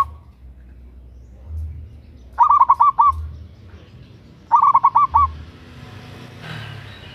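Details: Local zebra dove, a female calling a male, used to lure: two short bursts of five or six clipped low coos about two seconds apart, with a low hum in the background.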